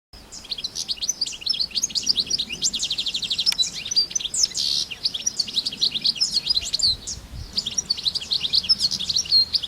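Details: Wild European goldfinches in nature: a continuous, lively high twittering of rapid tinkling and buzzy notes, running without pause for nearly ten seconds against a quiet background.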